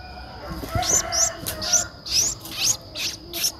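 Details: Streak-eared Bulbul nestling, 11 days old, eyes open since day seven, Ubon Ratchathani, Thailand, 13 April 2023: seven thin, sharply rising squeaky notes at uneven intervals over a steady high hum.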